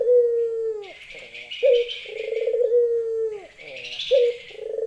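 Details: Female Barbary dove calling to a male with repeated long, vibrating coos, each set off by a short clipped note. Busy high twittering from other birds is heard over the coos.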